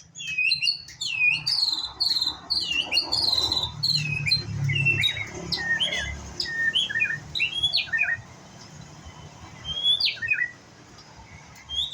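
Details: Young white-rumped shama learning to sing, running through a rapid, varied string of clear whistled notes and sharp slurred chirps, busiest in the first eight seconds, then a few isolated phrases, over a faint low hum.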